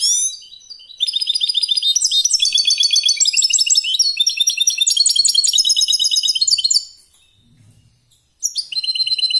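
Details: European goldfinch singing a competition-style song: a dense, fast run of bright, high twittering and tinkling notes that lasts about six seconds, then a short pause before the song starts again. No other sounds are heard.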